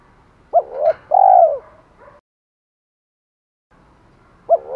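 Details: Spotted dove giving challenge calls and calls to hens: one complete phrase of two short coos and a long falling croon, then a pause, and the opening note of the next phrase.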